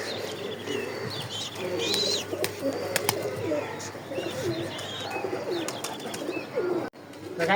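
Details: Kept pigeons, small birds in a pair, coo softly in low, murmuring, throaty phrases that repeat through the recording, with higher chirps from other birds and faint room noise; a brief dropout near the end.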